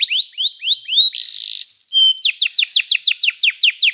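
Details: Training song of a canary: repeated upward-sweeping whistles, a brief buzzy burst, clear flat tones, then a rapid series of falling notes repeated several times a second.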